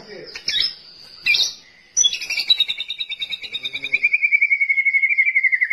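White-rumped shama song: a few high, clear whistles, then a long, rapid trill of repeated notes that speeds up and slides steadily lower in pitch.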